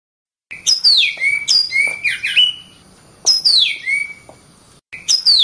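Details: Oriental magpie-robin song recorded for masteran, tutoring other songbirds: loud, clear whistled notes sliding steeply down from high to mid pitch, given in quick bursts with short silent gaps between phrases.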